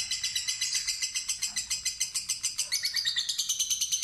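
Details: Long ngekek trill of a fighter lovebird responding to a lure recording, a rapid string of harsh chattering notes that shifts slightly higher in pitch toward the end.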